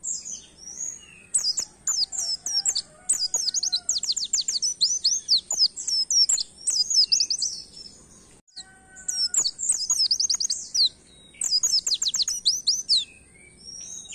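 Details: Oriental white-eye singing a canary-style song, played to stimulate other songbirds to sing: rapid, high, twittering bursts of sweet warbled notes and trills in phrases of a few seconds, separated by short pauses, with a faint low background hum.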